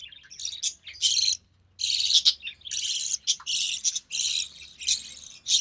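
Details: Recessive pied budgie chick hatched in early June 2020, with its albino red-eye mother feeding it; loud, grating, buzzy rasps in quick bursts with brief gaps, one longer pause near the start, steady intense calling.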